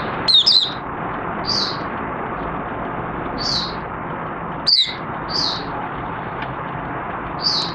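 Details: Caged oriental white-eye with its cover opened, recorded 25 August 2022 after a three-month night sleep study: short, high, thin twittering notes and soft chirps repeating every second or two against constant low background noise.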